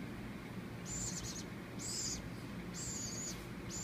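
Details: Hand-fed baby woodpecker rescued after falling from a palm-tree nest; rasping high-pitched begging buzzes, some broken into short pulses, roughly one per second, against a constant low background drone.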